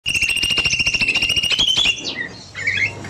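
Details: Caged cucak mini bulbul singing at length in an aviary in the evening: a fast, buzzy, rattling trill of rapid repeated notes lasting about two seconds, then softer high chirps from other birds.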